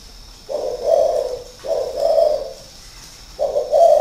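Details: Spotted dove cooing in its cage at a Ba Vì, Hanoi bird breeder's garden, a decoy bird caged for six years; three full, mellow, low coos, each about a second long, separated by short gaps.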